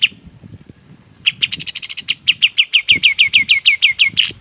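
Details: Golden-bellied gerygone song, recorded as training material for other songbirds: after a quiet start, a long run of high, thin, downward-slurred whistles repeated about three times a second, with a brief buzzier flurry early on.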